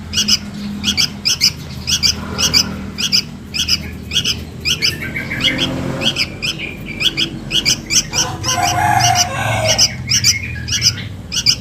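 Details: Sooty-headed bulbul chick begging for its mother, recorded as a lure call: rapid high double chirps, roughly a hundred a minute, with a brief rough noise near the end and low background hum.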